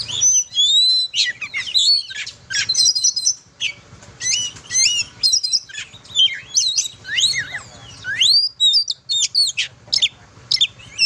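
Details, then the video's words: Oriental magpie-robin in full, melodious song meant for training young singers: dense rapid sequences of sharp chirps, slurred whistles and rising sweeps, loud bursts broken by short pauses, quiet low background hum. "Kicau burung kacer"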